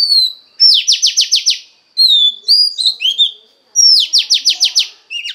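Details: Oriental magpie-robin female, her voice used to excite the male: a falling whistle, then a fast run of five or six buzzy down-slurred strokes, clear whistled phrases, and the buzzy run repeated, loud and high.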